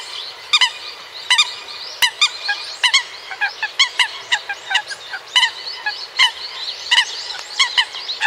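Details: American coot calls: a steady series of short, nasal, clucking notes with bright overtones, irregularly spaced and coming about every one to two seconds, with some overlapping as if from several birds.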